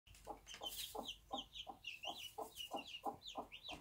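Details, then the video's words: Bantam mother hen with one-day-old chicks on a small backyard farm, giving a steady series of low clucks about three per second, with high thin peeping chicks scattered over the top. "Bantam Mom with her cute one day old chicks"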